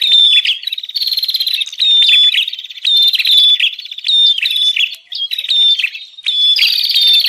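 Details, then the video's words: Noisy bar-winged prinia calls used as a lure for wild prinias: loud buzzy, stuttering trills with high ticking notes, delivered in phrases roughly every three quarters of a second, lively and overlapping. "Suara pikat burung prenjak Ribut"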